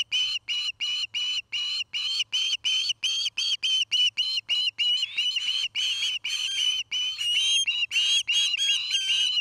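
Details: Osprey pair at their nest near Charlo, Montana, building it and mating, filmed by a nest camera; sharp whistled chirps repeated about three times per second, some with slurred rising inflections, over a faint steady low hum.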